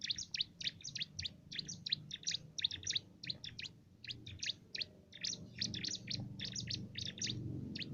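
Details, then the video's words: Canary-flavoured song of a cimblek, a small active songbird prized for its loud voice as filler material for contest birds. A long, steady stream of rapid, high, scratchy chirps in clustered bursts plays over low background noise. "Burung cimblek isian brem rasa kenari"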